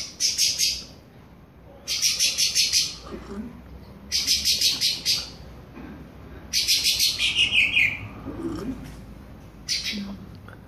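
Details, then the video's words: A Creamy-bellied Thrush warming up its classic song, with short, bright bursts of high, rapid chattering notes about every two seconds, one ending in a slurred downward whistle. "SABIÁ POCA ESQUENTANDO CANTO CLÁSSICO"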